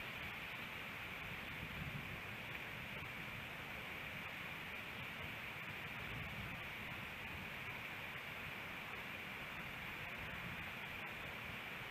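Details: Steady broadband hiss like rushing water or wind at an osprey nest in Hellgate Canyon, Missoula, Montana, on an April morning, with faint rustling and no clear animal calls.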